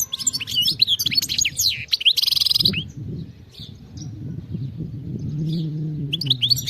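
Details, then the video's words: Wild European goldfinch singing in the field-type style: a fast twittering burst of high sliding notes and a buzzy trill, then a pause with low rumbling background, and twittering resumes at the end. "غناء خلوي صوت وصورة نقية جدا من أروع ما ستشاهد على منصة اليوتيوب HD video singing carduelis"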